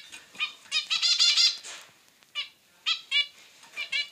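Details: Male and female zebra finches calling back and forth. A rapid cluster of loud nasal beeps comes first, then a pause, then scattered single and paired buzzy calls.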